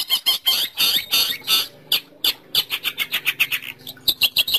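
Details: Long-tailed shrike call used as a lure for trapping birds: rapid harsh chattering notes, about three per second, with squawky bursts and quick repeated chips, some faint low rustling beneath.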